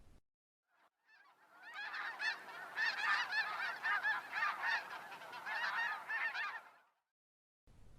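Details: A flock of snow geese passing overhead in uneven V's during fall migration near Helena, Montana, giving shrill, barking honks in a dense, overlapping chorus, several calls a second, building and fading over about five seconds.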